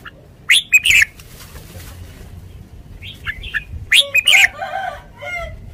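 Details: Red-whiskered bulbul: a pair of loud, harsh chirps, then quieter, faint notes, then a second loud chirp group with trailing buzzy warbled phrases.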